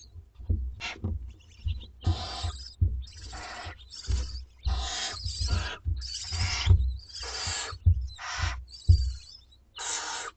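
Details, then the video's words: Two-week-old barn owlets at dinner time in a school garden nest: long, harsh hissing screeches repeated roughly every second, over low rumbling and shuffling noises. "Dinner time for 2 week-old Barn Owlets!"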